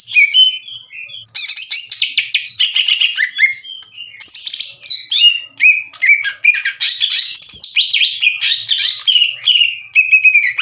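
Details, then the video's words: Green leafbird, a caged singing bird used as a master and lure to provoke slow-to-heat rival leafbirds into answering; rich varied song of whistled, slurred and chattering phrases, high and bright, with brief pauses between bursts. "MASTERAN DAN PANCINGAN CUCAK IJO LAMBAT PANAS UNTUK MEMICU EMOSI LAWAN AGAR GACOR"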